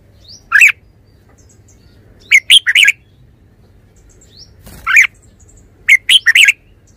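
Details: Repeated bubbly song phrases from a Red-whiskered bulbul, quick clusters of three or four rich slurred notes every couple of seconds, with a short clicking noise midway and a low background hum.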